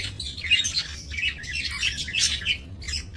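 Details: Several budgerigars in a small breeding aviary, 28 November 2024, chattering continuously with high warbling chirps and short squeaky notes, overlapping voices rising and falling in loudness throughout.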